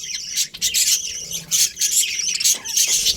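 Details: Colourful budgerigars from a colony giving bursts of bright, squeaky chirps and short squawks, coming in clusters separated by brief quieter gaps.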